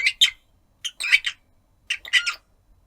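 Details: Pet rosy-faced lovebird aged one year nine months, calling for its owner and chattering: bursts of harsh, squawky high chirps in three clusters about a second apart, each a quick run of two to four notes, quiet room.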